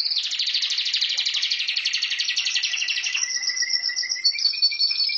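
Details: Singing pet canary opens with a dense, rapid rattling trill lasting about three seconds, then shifts to long, steady, pure whistled tones held at two pitches.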